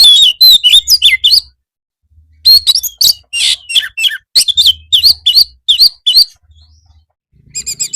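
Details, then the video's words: White-rumped shama song used as a master recording to train birds to answer back, suited for afternoon therapy: rapid loud bursts of whistled, slurred and harsh notes in fast phrases separated by short pauses, with faint low hum. "masteran kacer supaya mau nyaut bunyi gacor"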